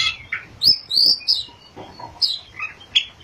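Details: Oriental magpie-robin in lively ngerol and nembak song: rapid high, bright whistled notes and short sliding phrases, some dropping lower, repeated in quick succession with faint clicks between them.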